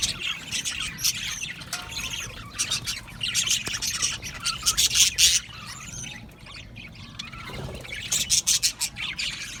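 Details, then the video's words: Budgerigar colony in an aviary: waves of shrill overlapping chirps and squawks, with a quieter lull near the middle before renewed rapid chatter. "Australian Budgies Singing and chirping sounds"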